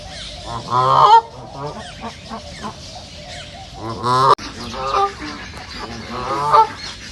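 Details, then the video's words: Ducks filmed in a nature reserve give nasal quack bursts, a loud one early and another near four seconds. Quieter chattering calls fill the gaps. "صوت البط | دجل البط | بطبطة البط | Duck sound"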